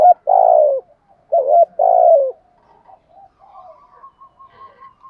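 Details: Spotted dove decoy call, male and female, in 'gù thúc' style: a long rich coo, then a doubled hoot and another drawn-out falling coo, followed by soft trailing murmurs and faint higher twittering.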